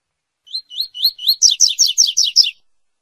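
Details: A Double-collared Seedeater sings the classic "tui tui" song, used to tutor young brown birds: about ten bright notes in two seconds, slurred whistles shifting to fuller, buzzier falling phrases, all high-pitched.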